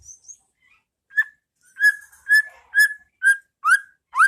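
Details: White-rumped shama in ngeplong style, recorded as masteran to teach caged birds: soft high notes, then a run of loud clear whistles about every half second, the last ones sweeping upward.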